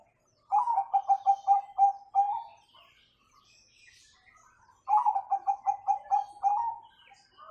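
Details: Bangkok-type zebra dove in full song, used as a master recording to train young doves to sing; two rapid phrases of about eight soft, bubbling coos each, closing on a longer note, separated by a few seconds of quiet.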